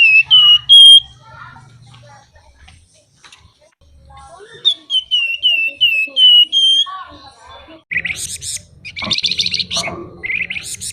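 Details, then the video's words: Flamboyan songbird singing actively with rich fill material, fluting and buzzing styles: a row of clear whistled notes sliding near one pitch, then harsh buzzy rattling bursts repeated in quick succession, faint low hum beneath. "Burung Flamboyan Gacor Isian Mewah Nyuling Ngebren"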